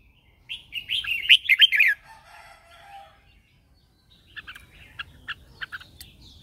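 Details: Red-whiskered bulbul lure bird singing in the morning to call other bulbuls. An energetic phrase of rapid, tumbling whistles for over a second, then quieter staccato chirps after a pause.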